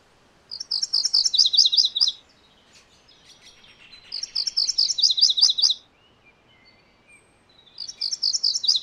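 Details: MacGillivray's warbler delivering three fast songs of clear high chirps that step down to lower chips, separated by pauses with faint quiet notes in the background.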